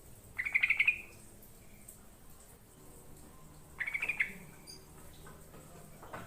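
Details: Yellow-vented bulbul song, played to lure wild birds into answering: two short bubbly bursts of rapid chattering notes around mid-high pitch, nearly three seconds apart, the first slightly longer, over a faint background hiss.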